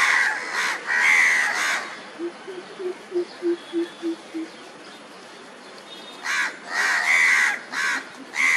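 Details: Andaman coucal on Andaman Island, India, in March 2020: a run of about eight deep, hollow hoots given evenly, bracketed before and after by loud, harsh, grating calls.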